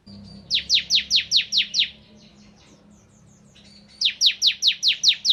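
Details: Crystal form of bar-winged prinia (ciblek kristal) singing actively in the rapid-fire 'nembak ngebren' style: a burst of about eight sharp, high, downslurred chirps, a short pause with faint twitters, then another burst of about seven.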